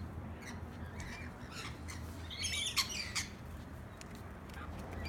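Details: On a balcony on the Gold Coast, Queensland, Australia, on 8 July 2018, a female rainbow lorikeet fighting off a suitor gives harsh, shrill squawks and screeches in quick irregular bursts, loudest mid-clip, over a steady low rumble.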